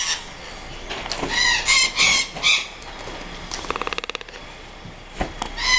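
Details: Toucan at an animal breeding centre in Paraná, Brazil, gives harsh, nasal croaking calls in quick bursts, broken by a brief dry rattle before a few more calls.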